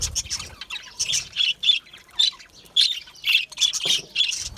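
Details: Budgerigar chirps come in quick, irregular bursts of sharp, high squeaky notes, roughly two per second, with a few faint low knocks in the background.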